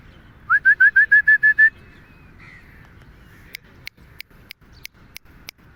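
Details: Two Alexandrine parakeets out walking in a park give a quick burst of eight upslurred whistled notes, then a pause followed by sharp, irregular clicks and taps.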